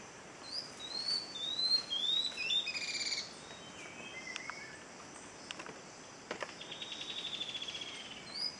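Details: Tawny-throated leaftosser at Montezuma, western Andes of Colombia, in May; a run of high, thin, slightly rising whistles in the first three seconds, then other faint chirps and a long buzzy trill later, over steady forest hiss.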